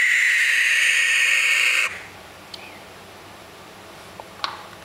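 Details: A young barn owl (baby owl) gives one loud, harsh, rasping hiss lasting about two seconds, then stops. A few faint clicks follow in a quiet background.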